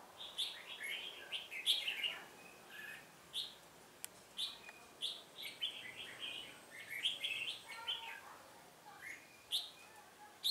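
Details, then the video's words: Red-whiskered bulbul decoy singing during a trapping session on 1 October 2018 to provoke wild rivals; a long series of cheerful slurred phrases, each a rapid string of chirps, repeated every second or two. "Bẫy chào mào Họng ếch ương"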